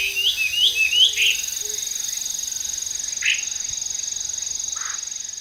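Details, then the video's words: Chinese hwamei heard in the wild, giving a short run of three or four bright looping whistles, then a pause and a couple of isolated notes, against a constant high-pitched insect buzz. "kicau burung wambi di alam"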